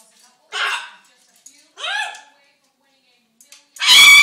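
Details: A hungry talking macaw trying to get attention and food talks in three short, hoarse, speech-like bursts, rising and falling in pitch, then ends in a loud, harsh squawk-like word.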